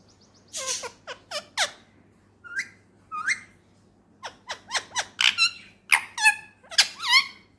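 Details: Talking Indian ringneck parrot kept as a pet indoors, a run of short harmonic squawks and sweeping chirps, some rising and some falling, in irregular bursts, with a faint steady low hum behind.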